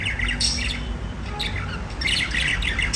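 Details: Budgies chirping and singing in two short bursts of scratchy warbled notes and bright squeaks, with a quieter pause between them and a constant low hum behind.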